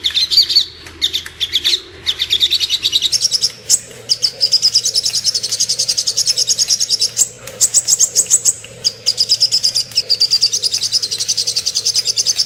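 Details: Little spiderhunter master song for murai batu and kacer training: long, fast runs of shrill, high chirps forming near-continuous trills, interrupted by a few short breaks.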